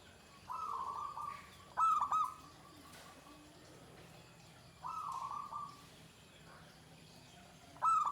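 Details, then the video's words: Zebra dove singing in the Pendowo Mijil style, with a shrill klare and "ke tek kuk" phrasing: mellow, pulsed cooing phrases in short bursts roughly every three seconds, with faint high chirps of other birds behind. "Suara Perkutut Pendowo Mijil klare ke tek kuk Melengking Nibakne"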